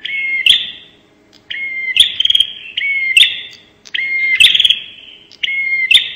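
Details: Lure recording of the Bar-winged prinia's 'nembak' call: fast pulsed buzzes paired with short rising whistles and sharp clicks, repeated in five or so quick phrases.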